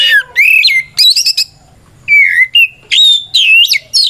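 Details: White-rumped shama delivering a loud 'ngeplong' song used to goad other shamas into emotional answering: swooping whistles, rapid chattering bursts, and rising slurred notes with short silences between phrases.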